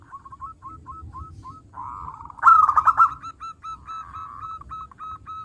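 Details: Local zebra dove in vigorous song: a run of short hooked notes about four per second, a soft trill, then a loud rapid bubbling phrase followed by more clipped notes.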